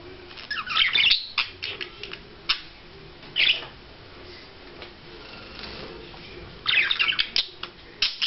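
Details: Budgerigar courting, with short bursts of bright scratchy chatter and chirps separated by quiet gaps, the busiest bursts at the start and near the end.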